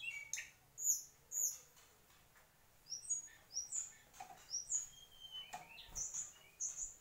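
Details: Mangrove whistler singing: a series of short, sharp, high whistled notes and chirps, some slurred downward, delivered in uneven bursts with brief pauses between them.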